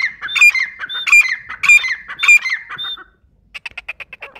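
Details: Grey francolin calling: four loud, shrill phrases in about three seconds, each a sharp whistled note dropping into a ringing, slurred trill, followed by a short burst of rapid dry clicking notes.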